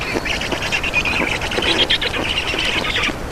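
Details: Black storks in Estonia being fed at the nest, 2 June 2019, 15:43: a drawn-out, scratchy, hissing chorus of calls lasting about three seconds before breaking off.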